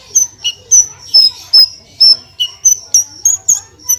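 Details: Javan bush lark (branjangan) song, a 'gacor full tembakan' tutor recording for cagebirds in Indonesia: sharp whistled notes near the top of the range, repeated roughly three times a second with a few lower chirps, over a faint steady low hum.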